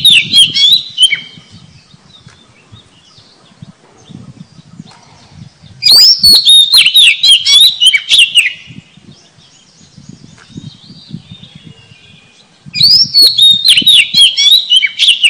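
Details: Lure song of the oriental magpie-robin: three loud bursts of rapid, tumbling whistles and chips, each a few seconds long, separated by quiet spells with faint background murmur.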